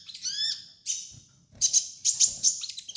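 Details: Sunbird (kolibri ninja) song used as a training master for captive birds: a rapid run of high, steeply falling chirps, a brief pause, then sharp chattering bursts with bright high ticks.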